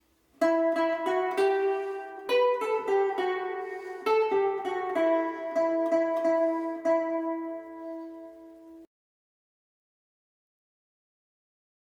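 A plucked string instrument plays a short melody of steady notes for about eight seconds, then silence, with no animal voice.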